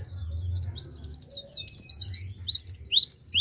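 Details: Fast, unbroken twittering from a Pemalang Oriental white-eye: thin, very high notes tumbling and looping at roughly four per second for over three seconds.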